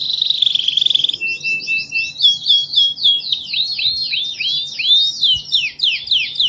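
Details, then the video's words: National champion canary singing: an opening rolling trill, a thin steady whistle, then rapid repeated looping swept notes in quick succession. "Burung Kenari Super Gacor Juara Nasional | Kicau Burung"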